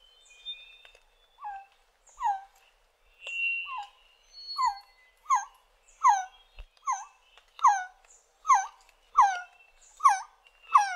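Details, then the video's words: Resplendent quetzal repeating clear, downward-slurred notes in a lengthening series, quiet at first then louder, roughly every half second to second, with some high whistles from other birds early on. "Resplendent Quetzal Sound & Call"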